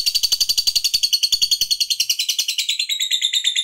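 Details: Lovebird of fighter type giving a long chattering ngekek, used to provoke other lovebirds: rapid harsh high notes repeated about three times a second, steady and even, shifting slightly lower near the end, indoors.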